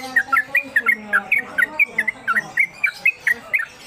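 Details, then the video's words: Caged Yellow-vented Bulbul, a newcomer, sings a long konslet kemedol song, used as tutor material. Quick, sharp, whistled chirps come about four per second in a steady stream, with low hum underneath. "Trucuk Konslet Kemedol Berdurasi"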